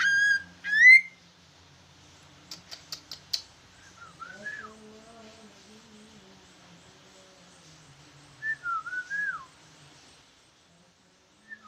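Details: Large leafbird in active song with a trucukan-like style: bright rising whistles at the start, a few scratchy notes, then a wavering whistled phrase later, separated by quiet gaps with a soft low hum.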